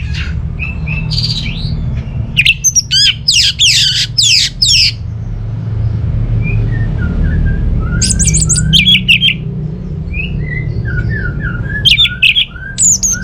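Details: Orange-headed thrush (anis merah) from North Bali sings in bursts of loud harsh and whistled phrases, with soft lower whistles drifting between them; steady low hum throughout; used to lure quiet birds at home into singing.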